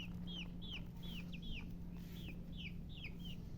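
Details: Colored chickens chirping with clear, high, whistled peeps that each fall sharply in pitch, about ten in under four seconds and spaced fairly evenly. A steady low electrical hum runs throughout.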